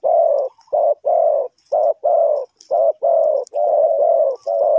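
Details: In a trapping setup in Ninh Thuận, Vietnam, a spotted dove repeats loud, mellow, low coos about every half second in a steady rhythm, with occasional faint high notes in the background.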